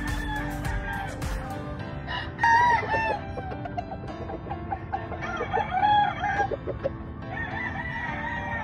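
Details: Grey Kelso Albany chicken at a farm, crowing in a strained, wavering voice, a loud phrase after two seconds followed by quieter rising and falling calls, with background music and percussive beats throughout.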